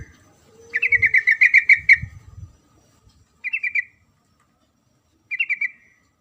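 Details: A female sooty-headed bulbul calls for the male with a long rapid chatter of about ten notes, followed by two short three-note bursts spaced apart, with some low background noise.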